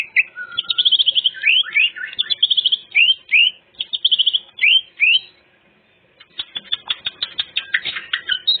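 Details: Clear-voiced greater green leafbird pouring out a full repertoire song used as a lure for other birds; upslurred whistles and rapid trills, a brief pause, then a run of sharp chattering notes.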